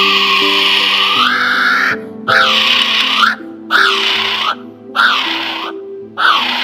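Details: A kiwi, a flightless, chicken-sized bird endemic to New Zealand that screams at night, gives shrill, arching screams that rise then fall, about one every second, over steady background music.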